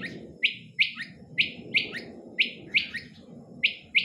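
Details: Female quail calling, short bright chirped notes repeated about three times a second in an irregular series, each dropping slightly in pitch, over a steady low rumbling background.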